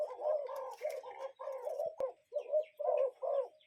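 Cuckoo giving low, hollow, mellow notes in quick repeated pairs, about two notes a second, with faint higher chirps from other birds behind.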